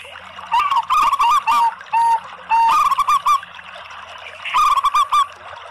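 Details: A lure recording of local and Bangkok zebra doves: three bursts of rapid, bubbling trilled coos broken by single pure whistled notes, with a short silence before the last burst.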